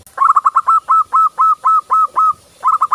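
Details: Local zebra dove singing lively, a song used for daily training of other doves: a fast series of about a dozen short, mellow cooing notes at steady mid pitch, then a brief pause and a final quick burst of coos.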